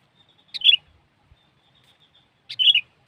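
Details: Sooty-headed bulbul song, played as a bird-trapping lure: two short bubbly whistled phrases about two seconds apart. Each phrase is a quick rising note and then a warbled flourish. The background is quiet.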